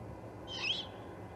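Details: One harsh, breathy screech from a juvenile great horned owl at the Charlo osprey nest on 21 October 2020, swelling then bending downward within half a second, with low background hum.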